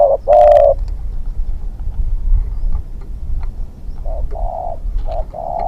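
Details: Spotted dove kept as a hunting decoy, a young bird on its second training outing, utters a loud hollow coo at the start, then softer broken coo notes near the end, with quiet rural background between.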